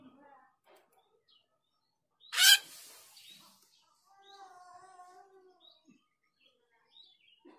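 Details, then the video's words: Female Grosbeak starling (jalak rio) call used as a lure: one loud, harsh, buzzy burst near the middle, followed by faint, steady tonal notes and scattered soft clicks. "Pancingan jalak rio betina"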